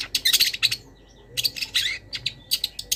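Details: Long-tailed shrike master recording, a training song packed with mimicry of wild birds: dense high chattering bursts of rapid notes, a short pause near the middle, then more scratchy, sharp phrases.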